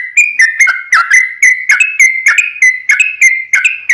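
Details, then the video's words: Lure song of a sooty-headed bulbul, used to get other bulbuls calling: clear whistled notes with crisp starts in a continuous, slightly wavering chain of about three notes per second. "SUARA trucukan gacor RAJA PIKAT tarung ropel panjang"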